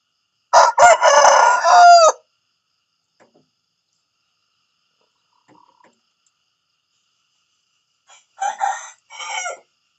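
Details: Rooster crowing in the morning: a loud, harsh, harmonic-rich crow of about one and a half seconds ending in a drawn-out falling note, then quiet, then the start of a second crow near the end.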